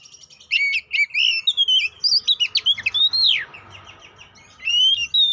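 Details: Lure song of the Oriental magpie-robin (kacer poci), used to provoke fighting and nonstop singing. Clear whistled phrases with a long downward swoop, then a pause and another bright whistled burst.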